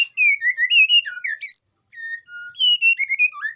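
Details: In breeding condition in an Indonesian aviary, a white-rumped shama sings to lure other shamas: loud continuous stream of sweet, fluid whistled notes, swooping and trilling without pause.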